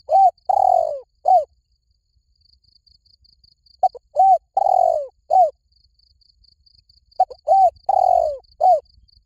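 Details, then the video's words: Spotted dove calling in the 'liu tan' style, played to lure and train another dove to call back. Three coo phrases, each a short note, a long drawn falling coo and a clipped note, about every three seconds. A faint cricket trill fills the gaps. "สำหรับเปิดล่อนกเขาใหญ่ฝึกต่อ ให้ขันโต้ตามเสียงนกเขาใหญ่หลิ่วตัน"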